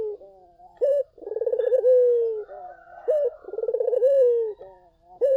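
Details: Barbary dove calling strongly to provoke replies from other doves: clipped single notes punctuate two rolling, throbbing coos that each settle into a long soft downward glide.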